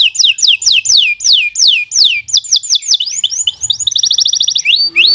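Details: Master song of a canary for teaching young birds: a run of loud falling whistles, each sliding down steeply, then quicker mixed notes, a fast high rattle and a final rising slur.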